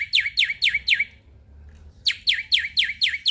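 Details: Male black-winged starling repeating a sharp, downslurred chirp about four times a second in two rhythmic runs separated by a brief silence; the song is played to encourage other starlings to sing.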